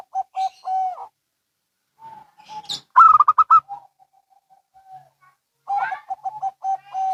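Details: Zebra doves of local and Bangkok types exchanging calls; short low coos and a held note, a loud quick rolling burst of higher coos, then a faint low trailing series and another staccato coo run.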